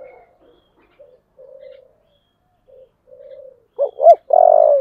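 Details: Spotted dove of the 'giọng thổ' voice used for fight calling: several soft low coos, then near the end two loud hooked notes and the start of a long burry coo.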